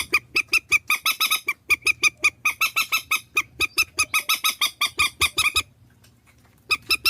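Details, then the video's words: Purple swamphen calls compiled as a decoy lure in Vietnam: a fast run of harsh, nasal honking notes, about four to five a second, briefly broken by a second of silence before the series resumes, over a faint low hum. "Tiếng trích ghép mòi"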